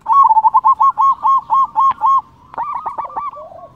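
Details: Loud-voiced local zebra dove, played to draw answers from rivals and stir breeding mood: a quick series of about nine even, pure coo notes, a short pause, then a fainter rippling phrase of falling notes.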